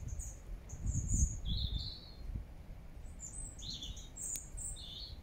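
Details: Wild birds singing in Regent's Park, London, in September 2024: scattered thin high chirps and short falling whistles from several birds, over a steady low rumbling background.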